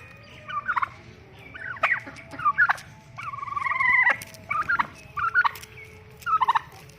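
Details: An angry turkey tom gobbles in quick, rattling bursts, about six in seven seconds, with one longer, drawn-out gurgling gobble near the middle.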